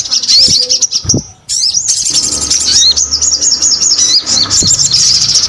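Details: Sogon singing actively (gacor) in a rapid, high, twittering stream of chirps and slurred whistles, with a short pause after one second before the busy song resumes and runs on steadily.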